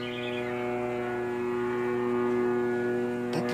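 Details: Steady mechanical hum with layered tonal overtones throughout, ending in a short clattering knock; no animal voice is heard.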